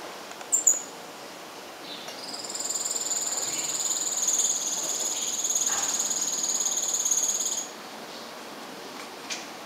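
A Blue-faced Parrotfinch sings a very high, thin, buzzy trill that holds steady for about five seconds, almost insect-like, over a faint background hiss.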